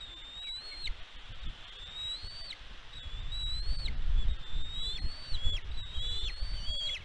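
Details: Nest-camera recording of a bald eagle on Catalina Island, California, USA, 16 May 2022. A rapid series of high whistled notes, each climbing then snapping downward, comes several per second over strong wind rumble.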